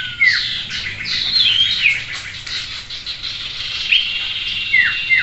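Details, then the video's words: Caged common iora, known locally as sirtu or cipoh, in a simulated singing-contest session; loud, high, downslurred whistles over a dense background of chattering birds. "Simulasi Gantangan Sirtu : Terapi Melatih Mental Sirtu"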